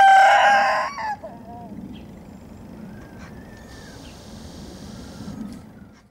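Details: Naked neck chicken ending a crow with a loud, strained, harmonic note lasting about a second, then quiet background with a few faint distant calls.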